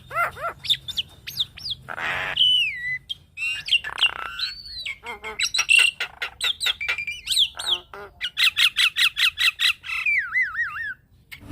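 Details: Javan myna song for training and triggering other mynas: a long, varied medley of rising and falling whistles, harsh squawks and rapid repeated clicking series, ending on a wavering warbled whistle.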